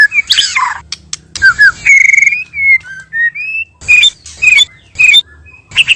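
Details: White-rumped shama song, male and female, used as a trapping lure: clear whistled notes, long sliding tones and sharp buzzy bursts, broken by short pauses.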